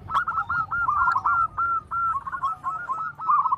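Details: Zebra doves of a local strain, loud and active callers, used as a lure to draw an answering call. Rapid series of short, trilled cooing notes at even pitch, running almost continuously with brief gaps, over a soft low rumble.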